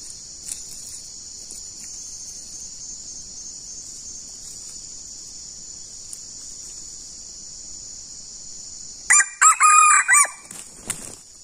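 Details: Wild junglefowl answering a decoy, with two birds near each other: a long stretch of steady high insect trilling, then one loud, ragged crow of several rapid harsh syllables lasting about a second and a half.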